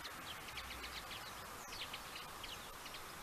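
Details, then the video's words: Common linnet song: a rapid, continuous stream of short chirping and twittering notes over a loud hiss. "Piękny śpiew makolągwy"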